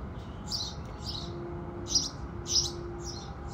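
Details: Sunrise house sparrows giving a few scattered, softer chirps over about three seconds, two louder ones standing out, with a faint steady tone in the background.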